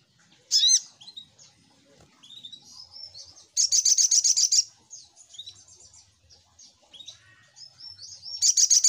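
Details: Little spiderhunter lure song: a sharp high note, then soft twittering, then a loud rattling run of fast repeated high chips, more quiet chirps, and another loud burst at the end.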